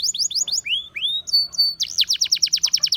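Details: Caged Russian singing canary in song meant to attract other canaries: several quick chipping notes, two longer rising whistles, a high steady tone, then a brisk trill of repeated falling notes.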